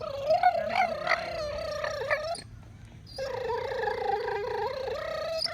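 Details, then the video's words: Pet Nova Scotia duck tolling retriever, a male, contentedly gnawing his bone and making odd squeaky sounds; long wobbling whimpers with bright harmonics, broken by chewing clicks, one pause near the middle, then a sustained wavering whine. "Dog Makes STRANGEST sounds to show he loves his bone!"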